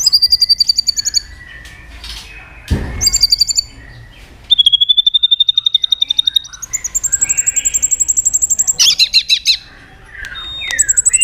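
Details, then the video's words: White-rumped shama in full, energetic song used as a lure to set other shamas singing: high pure whistles alternating with fast rattling trills and a long level whistled stretch, phrases changing every second or two. "pancingan murai batu gacor"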